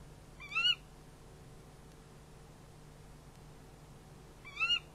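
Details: Night-time nest camera recording of barn owls during a prey handover: two short rasping harmonic calls roughly four seconds apart, otherwise only a faint steady hum.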